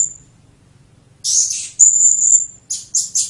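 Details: Serindit (blue-crowned hanging parrot) singing in 'teler' style, taken from a mixed serindit and cililin compilation. After a pause, high scratchy bursts lead into a clear, piercing sustained whistle, then three quick shrill chirps.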